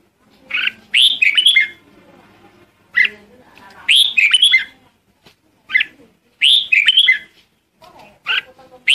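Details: Flock-calling Red-whiskered bulbul repeats a bright, bubbling phrase of rising and falling whistles roughly every two to three seconds, with short single chirps between, against a faint low background hum.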